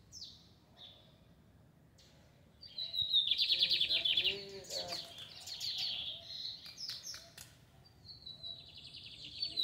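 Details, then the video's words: Lined seedeater singing in the town square of the Fátima neighbourhood. It gives sustained high, buzzy, rattling trills with short pauses between them. A human voice is briefly heard in the middle. "Bigodinho cantando na praça do bairro de Fátima!"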